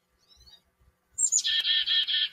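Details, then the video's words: Chickadees singing in a backyard: two thin high notes slide down into a run of buzzy, harsh, evenly repeated 'dee' notes lasting about a second, with faint low thumps in the background. "Chickadee Song"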